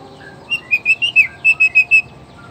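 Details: Male white-rumped shama, black-tailed type from Nias, singing to rouse other males: a brief series of about eight clear, high whistled notes in quick succession.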